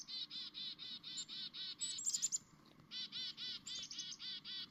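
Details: Chickadee in the morning giving long runs of buzzy, harmonic 'dee' notes, about four per second, broken near the middle by a few sharp, high chip notes before the buzzy series resumes; quiet outdoor background.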